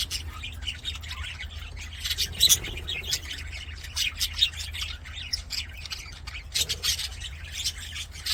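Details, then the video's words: Aviary budgies singing while they play, a busy mix of high twittering chirps and buzzy squawks from several birds at once, with louder bursts around the middle and a constant low mechanical hum. "BUDGIES SINGING PLAYING"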